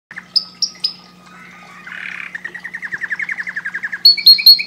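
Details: Canary song played to stimulate breeding: high thin whistles, a buzzy passage, then an accelerating trill of short repeated notes, ending in loud, high whistled notes, over a low steady hum.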